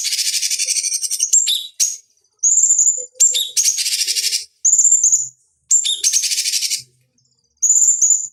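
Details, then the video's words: Cucak cungkok bulbul master song for training fighting birds: repeated bursts of high buzzy chatter, several starting with a clear whistled note, with short gaps between them. "Masteran Pancingan Cucak Cungkok Ampuh Untuk Terapi Dan Masteran Burung Petarung"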